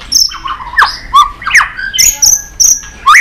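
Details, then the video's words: White-rumped shama singing competitively: quick mix of high thin whistles, slurred mid-pitched notes and sharp clicks, about two and a half notes a second, uneven in rhythm. "Chòe lửa kéo dây suối dài"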